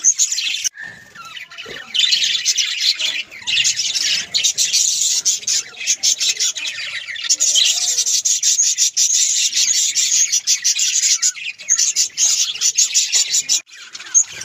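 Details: Pet budgerigars squawk and chatter continuously. A harsh, dense, buzzy warbling goes on almost without pause, with a few brief breaks.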